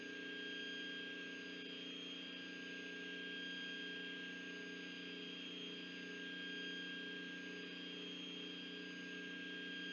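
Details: Steady electrical hum with several constant tones and a low, even background rumble; no animal voice is heard.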